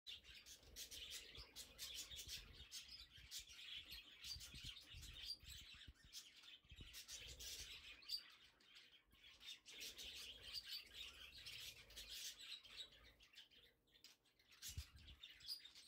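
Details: Blue budgerigars (Melopsittacus undulatus) warble steadily, a busy stream of chirps, chatter and sharp squeaks with barely a pause.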